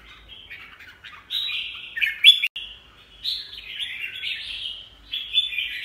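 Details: Red-whiskered bulbul, a show-quality caged bird whose leg and bill are moulting, singing short warbled phrases of clear whistled notes, rising and falling, in bursts separated by brief pauses.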